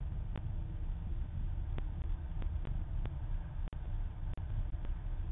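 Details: Steady deep rumble of urban traffic with scattered sharp clicks and brief dropouts; no animal voice is heard.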